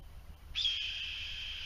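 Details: Red-tailed hawk in Utah gives one long, hoarse, high scream that starts sharply and holds steady over a faint low rumble.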